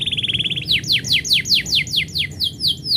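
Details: Canary singing as its owner prepares to leave: a quick rattling trill gives way to a series of about ten loud downslurred whistles, roughly four per second.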